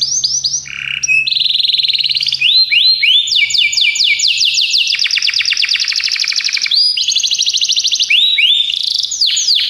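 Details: Song of a Belgian canary for training young birds: continuous fast rolling trills and buzzy repeated syllables, changing tempo phrase by phrase, with rising whistled slurs and a faint low hum early on.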